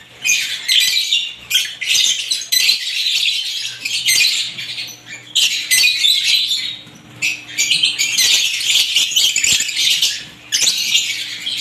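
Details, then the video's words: A gathering of lovebird varieties produces waves of piercing, scratchy chirps and squeaks, loud busy passages alternating with quieter spells across the recording. "ibat ibang klasing uri ng love birds sarap nilang pakinggan habang na humuhuni"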